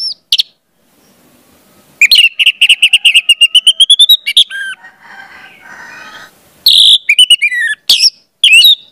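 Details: Song of an orange-headed thrush for teaching juveniles to sing: a quick, steady run of repeated whistled notes climbing gradually in pitch, a quiet gap, then loud bursts of mixed chirps and slurred whistles.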